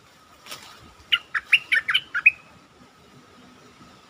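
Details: Stripe-throated bulbul in a cage, song used as a lure: a single lively phrase of seven short, liquid, chirping notes in quick succession, against a low constant hum.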